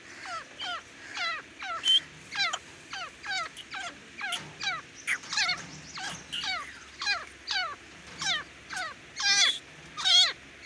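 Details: Grey francolin (desi teetar) calling steadily for about ten seconds: a long series of loud, ringing, downward-sweeping notes in quick, fairly even succession, with some notes louder and sharper near the end.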